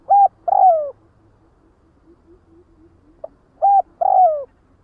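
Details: Spotted dove cooing to call its flock, two matching phrases about three seconds apart, each a clipped low coo followed by a longer descending croo, in quiet surroundings.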